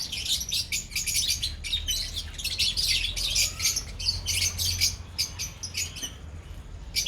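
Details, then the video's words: Colony of lovebirds producing rapid, squeaky, overlapping chirps in clustered bursts throughout, with a faint low hum in the background. "Beautiful Love Birds colony"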